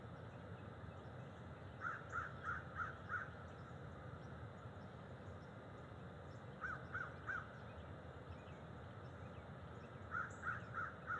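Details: Bald eagle in the nest tree in early morning, October 12, 2023, with two adults present; three bursts of rapid, clipped piping notes, four to five per burst, separated by pauses, over constant low background hum.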